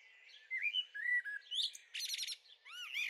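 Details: A young Eurasian blackbird (Turdus merula) in a garden on 23 May 2013 gives a run of varied whistled and slurred notes, a brief harsh buzzy chatter, then quick rising-and-falling whistles.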